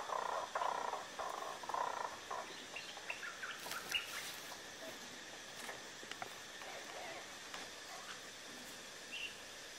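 A blue-bearded bee-eater gives harsh, croaking bursts, quick and uneven at first, then sparser, over a background of scattered clicks and faint higher notes.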